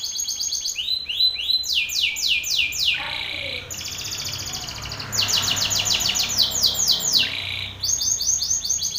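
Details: Belgian canary, a male singing strongly in the face of a rival male; loud high trills and repeated downward-swept notes come in bursts, separated by a buzzy lower phrase, with faint low background rumble.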